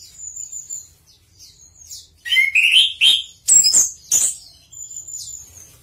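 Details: Chestnut-capped thrush (Geokichla interpres), song.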